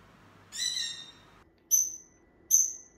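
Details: A pet conure gives a contact call to reach its owners and ask to be with them: one drawn-out harsh squawk, then two short sharp shrieks less than a second apart.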